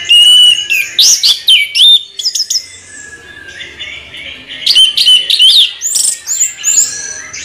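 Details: Orange-headed thrush in continuous rolling song: varied whistled and buzzy high phrases, swooping notes and quick chirps in rapid bursts, with a quieter pause near the middle before the rich tumbling phrases resume.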